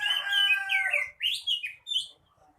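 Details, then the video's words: Caged male magpie-robin (kacer) singing in full voice, with loud varied whistled phrases sliding between high and mid pitch, then short rising upslurred notes separated by brief pauses. "Burung kacer"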